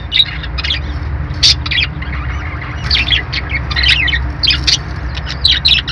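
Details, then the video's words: A group of budgies chatters with rapid, bright chirps and short squeaky notes, many birds calling at once with brief sharp peaks. A low continuous hum runs underneath. "budgie birds sounds | love birds sounds | parakeet chirping sounds"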